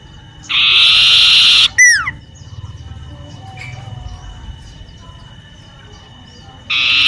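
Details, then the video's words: Common iora singing vigorously in a home garden: a harsh, buzzy rasp lasting about a second, a falling whistle, a long quiet stretch, then another buzz begins. "siulan burung cipoh mengingatknku masa kcil dlu yg sering trdengar di kebun Dket rumahku"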